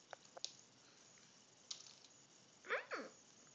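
A crimson rosella gives two quick, slightly harsh downslurred notes in close succession, after a few faint taps and clicks.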